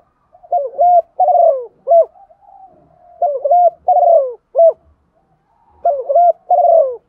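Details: Female spotted dove calling to stimulate males: three low, hollow cooing phrases about every 2.6 seconds, each a quick pair of notes, a longer slurred falling coo, then a short closing note; otherwise quiet.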